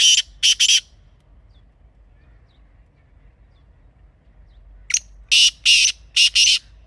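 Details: Wild Pakistani black francolin calling: a rasping phrase of three harsh notes, a long pause of about four seconds, then a louder phrase of one thin note and four grating bursts.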